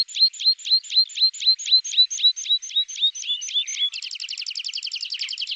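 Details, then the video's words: Javan bush lark song from a tutor recording meant to draw responses from trainee birds: evenly repeated high chirped notes, roughly four per second, then a rapid, buzzy, rattling trill for the final second and a half. "Masteran Branjangan!!"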